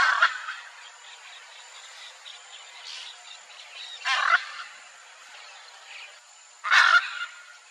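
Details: A wild pair of hyacinth macaws calling to each other, calls that keep pair and family bonds: two loud, harsh, raspy squawks stand out against a steady high insect whine and softer distant bird chatter.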